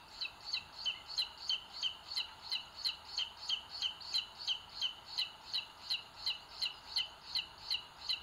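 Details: Inside a booted eagle nest in Sierra de Guadarrama National Park, Spain, 2022, on a live camera, the dominant chick pecking the smaller; an unbroken, very regular chain of high paired peeps, about three per second.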